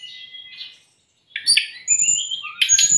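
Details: Brown-chested jungle flycatcher training song for raw or stressed captive birds: soft buzzy notes, a brief silence, then loud whistles gliding up and down with harsh accents.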